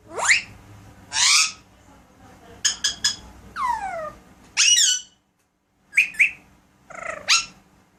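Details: Household Alexandrine parakeet talking and making sound effects: rising squawks, a cluster of quick clicks, a drawn-out downward whistle, and several more upswept chattery notes separated by pauses, indoors.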